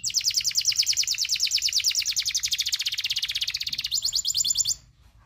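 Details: Local canary tutor song, a long rapid rolling trill of high pulsed notes lasting over four seconds, shifting slightly higher near the end before stopping abruptly.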